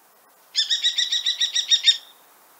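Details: A Central European Common Kestrel gives a fast, shrill series of about ten sharp 'kee-kee-kee' notes over roughly a second and a half, with nothing else heard.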